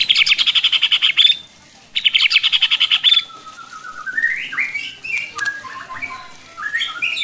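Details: White-rumped shama singing to provoke other shamas into aggressive singing: two fast rattling bursts of repeated high notes, each about a second long, followed by varied whistled phrases rising and falling.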